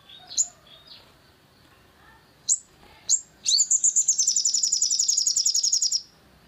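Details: Long-tailed shrike played to rouse another bird into song: a few scattered sharp high chips, then a fast, steady chatter of rapidly repeated high, metallic notes lasting about two and a half seconds before stopping abruptly.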